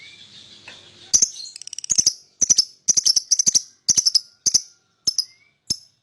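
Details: Lovebird singing and chirping, meant to lure other birds: sharp high chirps in quick irregular bursts and clusters after a quiet first second, with a faint rising whistle in the background.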